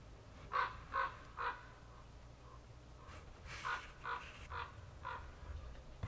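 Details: Common ravens, possibly gathered at hunting remains after a weekend hunt in Sweden, give harsh croaking calls: three quick ones, then a looser run of about six, over a low outdoor rumble.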